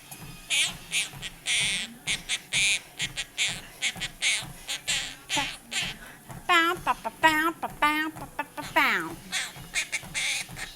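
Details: A female pet monk parakeet, perched on a treadmill while her owner walks, chatters in rapid, rhythmic clicky bursts, then gives rising, nasal, squawky phrases imitating talk and singing "Happy Birthday".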